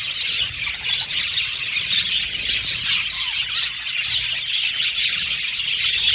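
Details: Budgerigars singing and chirping in a colony aviary, cage play included: continuous bright, scratchy warbling with small squeaks popping above the flock's dense high chatter.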